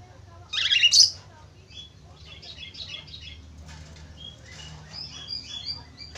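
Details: Budgerigar chatter used as a lure recording to get other budgerigars singing: one loud, sharp burst of squeaky chirps near the start, then soft, scattered warbling twitters over a low background hum.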